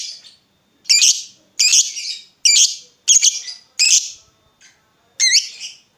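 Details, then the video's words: Vocal lovebird calling as a lure to make other lovebirds answer: a series of six loud, shrill, bent squawks, each roughly seven-tenths of a second apart, sharp and ringing. "Pancingan Lovebird Gacor Burung Lakbet apapun pasti Nyaut Ngekek"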